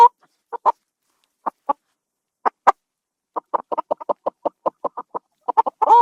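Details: A chicken gives scattered single clucks, then a quickening run of short evenly spaced clucks, ending in a slightly rising squawk.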